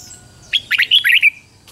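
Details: One quick, rolling phrase of five or six liquid whistled notes from a decoy red-whiskered bulbul singing to attract wild bulbuls, then quiet.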